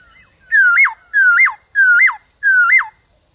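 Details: Four identical loud whistled phrases from a white-cheeked laughingthrush, each a falling glide that jumps up and drops away, repeated about every 0.6 seconds over a faint constant hiss.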